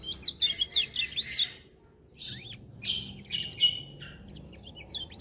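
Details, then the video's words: Vigorous lemon-bellied white-eye song, with other birds said to join in; loud rapid bursts of high looping whistles and twitters, a brief pause, then more layered chirping phrases. "Kecial Kuning Gacor Dengar Suara Kecial Kuning Ini Burung Lain Pada Ikut Bunyi"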